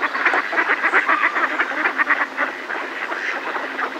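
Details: Close alarm quacking from Mallards gathered in a decoy: several birds call at once, with strong rhythmic bursts early on that ease into a softer jumble.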